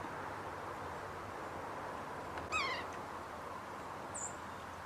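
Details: Wild male yellow-bellied sapsucker returning to freshly drilled sap wells about every ten minutes gives a single short, cat-like meow that slurs downward with strong harmonics, followed later by a faint high note over steady background hiss.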